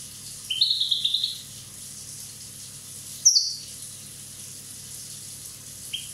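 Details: Corsican European goldfinch, one year old, delivering a quick rattling trill of about seven clipped notes, then a single sharp high note and a faint short chirp after a pause.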